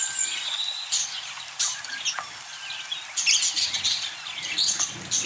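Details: Continuous budgerigar chatter made of thin whistled chirps, rapid twittering runs and a few harsher squawk-like notes, several birds calling over each other at once.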